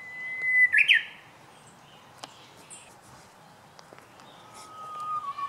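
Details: Japanese bush warbler (Horornis diphone) giving its first song of the season on 19 March 2016. A brief held whistle breaks into a loud, quick flourish. After a quiet gap with faint ticks, a new long level whistle begins at a lower pitch.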